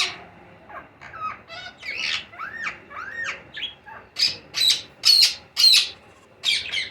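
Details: Green ringneck parakeet chicks at feeding time give harsh, squawking begging calls. Arched, slurred notes grow into loud, rasping bursts repeated roughly twice a second, indoors.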